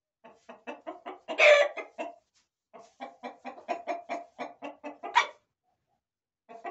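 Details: Corral chickens, roosters and hens, produce two long runs of steady rhythmic clucks, each punctuated by a louder raspy squawk, with a brief pause between runs.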